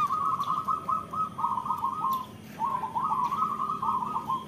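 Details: Local zebra doves in full song, with near-continuous rolling, stuttering coos at a mid pitch. Two long phrases are split by a short pause, over a soft background hiss.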